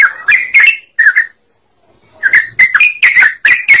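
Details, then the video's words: Lively sooty-headed bulbul singing as a lure for other birds: clear, liquid chirped notes in short clusters, a pause of about a second, then more rapid bright phrases. "TRUCUKAN GACOR Burung lain DENGAR IKUT KONGSLET"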